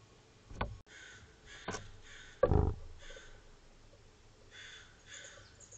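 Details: A California scrub jay at a bird-cam feeding spot in Monterey County on 11 June 2024 gives harsh, raspy calls in short bursts, three times over several seconds, with heavy knocking thumps close by.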